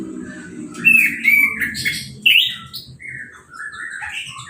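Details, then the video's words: Caged orange-headed thrush singing just after its moult and a hose-spray bath, without a cage cover: loud, sweeping whistled and warbled phrases at mid-high pitch, delivered in bursts with short pauses, over a low background rumble. "Anis Merah Sehabis Mabung Mandinya Disemprot Selang , Gak Pakai Kerodong , Bisa Langsung Berbunyi"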